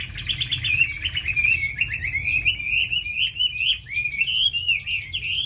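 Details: Tame Chinese hwamei, a caged bird in Hanoi, Vietnam, praised for its voice: a continuous fluent warble of rippling whistles, wavering up and down without pause, over a faint low hum.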